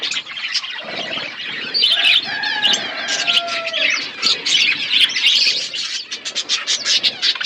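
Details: Aviary budgerigars chirping in a forest environment, a colony of birds heard together; busy warbled chatter with trilled notes, a few longer drawn-out tones in the middle, steady layered twittering.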